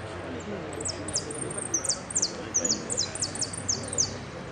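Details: A hooded siskin, a yellow-class singing competition finalist, gives very high, bright twittering trills in repique style, with quick repeated downslurred notes in short bursts, over low room murmur and voices.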